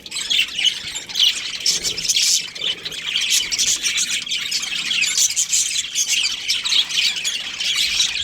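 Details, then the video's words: Breeding pair of budgerigars chirping continuously, a dense high chatter of rapid warbles, squeaks and short harsh notes with no pauses, several birds apparently calling over one another. "Amazing budgie chirping sounds | budgies breeding pair"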